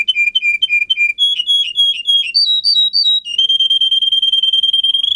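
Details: Canary song for tutoring other canaries: groups of rapidly repeated whistled notes stepping upward through several pitches, then breaking into a steady, fast rolling trill on a single tone.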